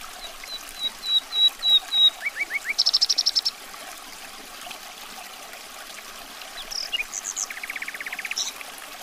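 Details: Common nightingale (Luscinia megarhynchos) singing: a run of thin high whistles swelling in loudness, a few short upslurred notes, then a fast dry rattling trill; after a pause, scattered sharp notes and another rapid trill over a steady background hiss.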